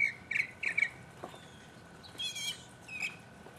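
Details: Mockingbird solo from 2015. Three short raspy chirps are followed by a pause, then a buzzy high phrase and a single slurred note.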